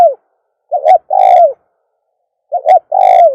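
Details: Dove's calling coo for attracting doves: a tail of a falling coo, then twice a doubled short note followed by a long steady coo that drops at the end. Deep, hollow tones in silence.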